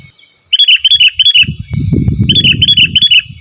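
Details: Sooty-headed bulbul in full song, used for calling wild birds and tutoring: rapid repeated bubbly whistled notes in two quick series, with a low rumbling noise between them.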